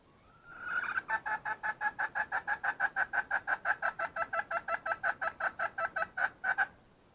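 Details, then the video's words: Female wild red junglefowl opening with a short rising note, then a long, even train of about thirty clipped clucks at roughly three per second against a quiet background. "Suab poj qaib qus seev zoo kaw.. Tiến gà rừng"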